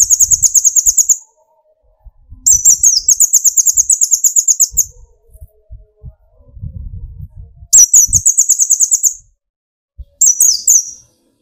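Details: Olive-backed sunbird (kolibri ninja), young or speckled, singing to provoke rivals: long very high buzzy trills of fast repeated notes, about three per second, alternating with pauses and low rustling thumps.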